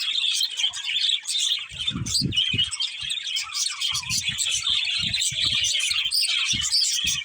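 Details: Budgies keep up a busy flock chatter of rapid high chirps and squeaky warbles, with soft low thumps now and then underneath.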